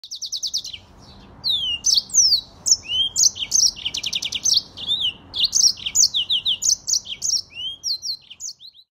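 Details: Yellow-fronted canary singing a fast, continuous high-pitched warble of trills, buzzy notes and slurred whistles, phrases running together almost without pause.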